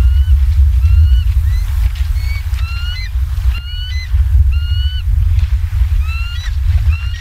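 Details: Bald eagles at a live-cam site in Southwest Florida, 28 October 2022, 19:15: a run of thin, high whistled chirps, some flat and some rising, repeating in quick bursts over a steady low wind-like rumble.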